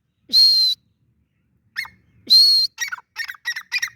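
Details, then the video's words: Francolin producing two long, even, buzzy whistled notes a couple of seconds apart, then a quick burst of short harsh clipped notes. "teetar Ki awaz || teetar voice || teetar sound"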